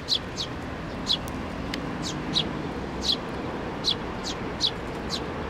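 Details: Hand-fed sparrows at a Tenmangu shrine, May 2024; crisp, high single chirps spaced under a second apart, fairly even, with a soft traffic-like background drone.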